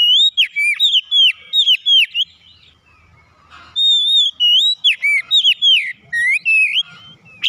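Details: White-rumped shama singing on a training recording meant to get caged birds to sing. Rich run of looping whistled notes, several quick phrases, a brief pause, then more varied slurred whistles.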